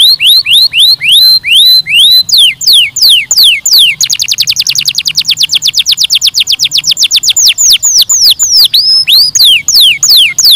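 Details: Canary song: bright downward-sweeping whistled notes, then a fast, even roll of rapid repeated chips from about four seconds, ending in looser swept notes.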